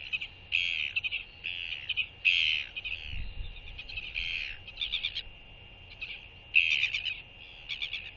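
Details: Incubating male royal albatross greets a visiting blue-banded albatross sitting next to him at the nest, 14 January 2023, with a skycall; repeated hoarse, whinnying bursts, several short rattling pulses in between, steady background hum throughout.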